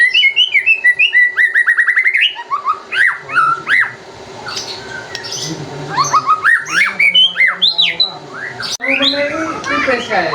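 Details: Song of a white-rumped shama played to provoke other birds to sing: a fast string of repeated high whistles, then varied slurred and jumping phrases mixed with harsh chattering notes, and a dense, busy burst at the end.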